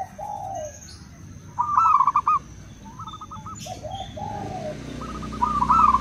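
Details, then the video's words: Local and crossbred zebra doves trading song: separate bursts of fast stuttering coos, each a few notes, with pauses between and overlapping fainter phrases from other birds. "Perkutut lokal dan crossing pasti nyaut!! Suara perkutut pulen"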